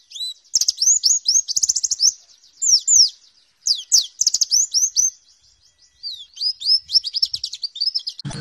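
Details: Warbling white-eye tutor song in the 'nembak' style, meant for training pleci and best played in the morning at dew time: rapid, high, sweet chirps and down-slurred whistles in dense bursts, with short pauses between phrases.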